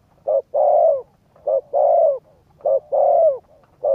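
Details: Spotted dove coo used to excite a decoy bird for trapping practice: a clipped low note then a long soft hooting coo falling at its end, the pair repeated steadily about every 1.2 seconds.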